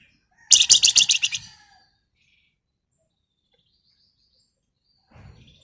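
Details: Caged flamboyan female calling a male, called gacor ngebren or nyerecet nyiul: a quick burst of about eight shrill, high chirps in under a second, then silence and a faint short rustle near the end.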